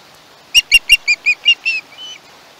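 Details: Young osprey at its nest on the Chesapeake, recorded by a live nest camera on 21 August 2019, gives a run of seven sharp, high screeching notes, the last ones drawn out and fading.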